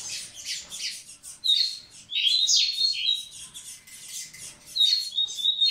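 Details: Male-style song of a Double-collared seedeater, sung to get females ready: bursts of rapid high twitters alternate with bright, level whistled trills and buzzy phrases, loud and soft passages trading every second or so.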